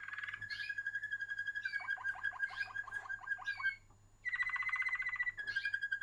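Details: Waterslager canary song: rapid repeated clear notes on a steady pitch, a run of water-like bubbling tours, a brief pause, then a higher fast rolling trill and more repeated notes.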